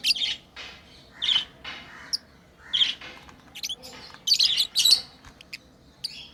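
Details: Pet lovebirds at play, a lively stream of harsh high chirps and squawky notes, rapid and irregular, clustered in loud bursts with rustling between.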